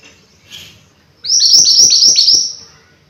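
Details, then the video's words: Mountain white-eye singing actively: after a faint chirp, a loud burst of about six rapid, high, downslurred whistled notes tumbles out in just over a second, then fades into quiet. "Burung MANTENAN GUNUNG Gacor Pas Untuk Masteran Atau Pancingan"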